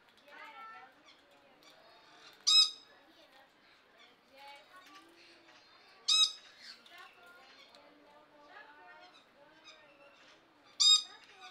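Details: Lord Derby's parakeet kept at Belgrade Zoo, Serbia, recorded in May 2022, uttering three loud harsh squawks several seconds apart amid constant soft chattering and other bird noise.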